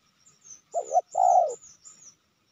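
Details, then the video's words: A wild spotted dove at a trapping site in Sibolangit, lured with two decoy birds: two short, low, mellow coo notes, the second longer and fuller. A faint high thin whine runs above. "Tekukur ini Menguku Tanpa Henti"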